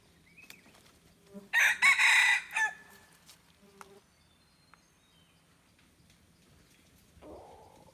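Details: Red junglefowl used as a decoy, recorded 10 March 2022: one loud, harsh, broken crow of about a second, with faint scattered notes before and after and a quiet rural background.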